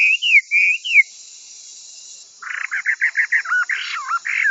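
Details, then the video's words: Chinese hwamei singing as a training model for other songbirds: a few loud slurred whistles, a brief silence, then a rapid burst of rough repeated notes and twisting whistles. "Suara Burung Wambi Gacor Joss untuk Masteran"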